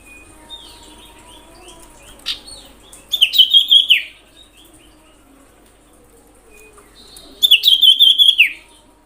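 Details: Common iora provocation call: soft chattering notes, then two bursts of a loud, rapid, high pulsed trill that falls at its end, several seconds apart.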